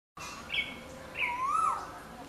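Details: A yellow-footed green pigeon gives mellow, fluting whistles: a brief high note, then a longer whistle that rises and falls, over light background hiss.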